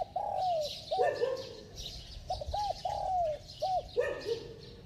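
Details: Spotted dove giving a run of low, mellow coos, arched hooting notes and a long sliding coo, phrases repeating rapidly, with light background chirps from other birds.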